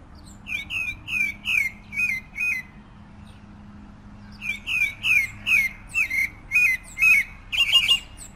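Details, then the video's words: A pale-breasted thrush (Turdus leucomelas) sings two bursts of clear, downslurred whistled notes, about three a second, separated by a brief pause, over a faint low hum. "Canto del Zorzal Sabiá"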